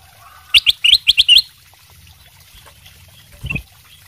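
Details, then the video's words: Bulbul of the kutilang emas sutra type in full song as a lure to draw replies from other birds: a rapid burst of five or six clear, slurred notes, then quiet with a soft low thump near the end. "kutilang emas sutra gacor buat pancingan langsung nyaut"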